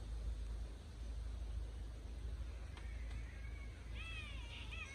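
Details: A catbird in Noosa tropical forest gives nasal, wavering wails that sound remarkably like a yowling cat.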